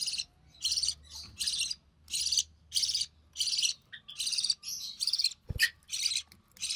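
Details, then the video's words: Recessive pied budgerigar chick, born early June 2020, begging while the mother feeds it; steady rhythmic raspy bursts roughly every half second, one sharp knock near the end. "Budgie Chick - Recessive Pied Budgie"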